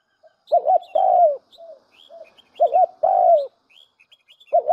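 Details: A spotted dove lure recording: a double arched coo followed by a long slurred downward coo, repeated about every two seconds, with soft quiet coos between and faint high bird chirps.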